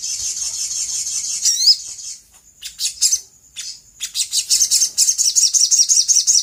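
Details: High, thin sooty-headed bulbul song meant to draw replies from other birds: a sustained shrill trill, a few separate high notes after a gap, then a fast run of repeated chirps.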